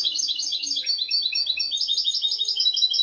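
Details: European goldfinch song from a tutor recording, called royal, used to teach goldfinches and canaries to sing without mistakes: a continuous, fast, high twittering of tinkling and buzzy notes running throughout, with a brief lower dip near the start.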